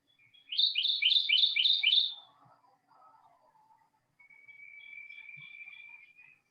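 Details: A Kentucky Warbler recorded at Phipps Park, Florida, during migration gives a quick run of six rich, rolling two-note phrases, churry-churry-churry, followed by a long, thin, steady whistle and a faint low murmur.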